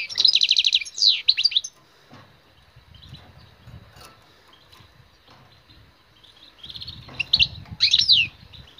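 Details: Wild European goldfinch singing in two short bursts of rapid, high trills and downward-sliding notes, at the start and near the end, separated by several seconds of low rumbling background noise.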